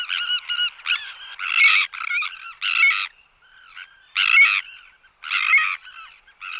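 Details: Sandwich tern calls in flight and alarm calls in the colony: loud grating, hoarse rasps in irregular clusters, several birds calling together, brief pauses between bursts.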